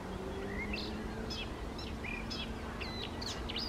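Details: Eurasian reed warbler by lakes on a May 28, 2024 morning in Poland: scattered short, sharp chirps and quick rising and falling notes, spaced unevenly, over a steady low background hum.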